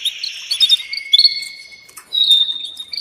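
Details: Canary given as a female calling a male for mating: high chirps and a long level whistle sliding downward, then a brief gap and a renewed bright trill.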